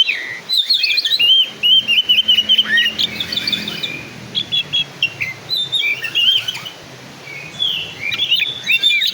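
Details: Black-and-white Oriental magpie-robin singing in a showy style: a rich, varied run of loud whistled phrases, quick trills, rising and falling slurs and sharp chirps in bursts with short pauses, over a faint low hum.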